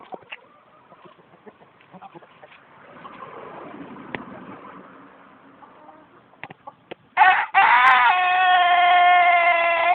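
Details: Tôtenko long-crowing chicken, a Japanese long-crowing breed, kept alongside Koeyoshi chickens; scattered faint clucks and knocks, then a loud harmonic crow begins near seven seconds and is held steadily to the end.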